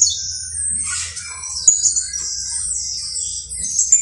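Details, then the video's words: Canario basto criollo, a saffron finch, giving a continuous high buzzy trill that wavers and swells, broken by a few sharp accented notes and lower whistled fragments, with a steady low hum beneath. "UN CANTO INCREIBLE DE CANARIO BASTO CRIOLLO"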